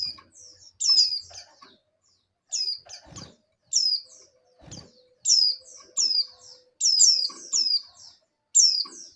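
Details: Female oriental white-eye in breeding condition calling a male: bright, high descending chirps in clusters, over a low steady hum, with dull thuds and a short clatter between calls.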